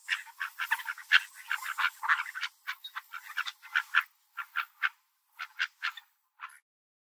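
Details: Park ducks, including a large dark-feathered, white-chested duck among mallards, fighting over birdseed: a dense, overlapping burst of harsh, nasal quacks for four seconds, then spaced single quacks about two per second.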